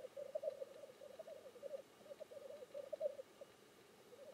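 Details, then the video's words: Displaying black grouse at the lek, giving an unbroken low bubbling, cooing rookoo in rolling phrases, steady and pulsing for the whole stretch with no other clear sounds. "Le parate del fagiano di monte"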